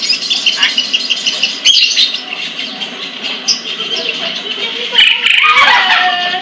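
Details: ['Captive sunbird in Pemalang, Central Java, Indonesia, delivering rapid, high, scratchy twitters with sharp clicks, while lower warbled notes from other birds rise toward the end.']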